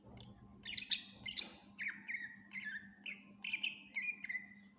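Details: Cucak ijo, the greater green leafbird, singing full isian for training other birds: high piercing squeaky bursts, followed by a string of falling slurred whistles repeated at a steady pace, over a low constant hum.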